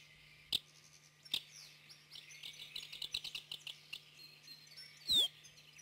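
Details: Eurasian crag martin, a rare or passage bird in Corrèze, France, gives a quick, high twittering of short chirps, densest mid-clip, with a few sharp clicks and a low steady hum.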